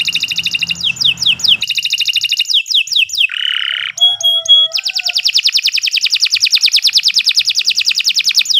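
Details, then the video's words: Canary, kenari, in long nonstop master song for training: swooping whistled notes, a harsh buzzy roll, clipped tones, then a fast even trill of repeated notes to the end, faint low hum early on. "Kicau Burung Kenari 139 II LUAR BIASA GACOR PANJANG Cocok untuk Masteran"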